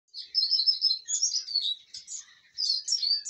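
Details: A contented, well-fed Eurasian siskin sings a fast twittering phrase of high, slurred chirps, then pauses briefly before resuming with more rapid bright twitters and trills.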